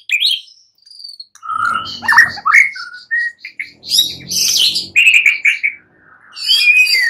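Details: White-rumped shama singing at night, a lure song meant to prompt another shama to answer and sing: varied phrases of clear whistles, slurred rising notes and buzzy high bursts, broken by short pauses.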